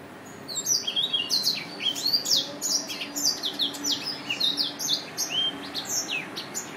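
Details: Continuous lively chatter of high, sharp chirps and sliding whistled notes from a Yelloweye finch, repeated rapidly for several seconds with little pause.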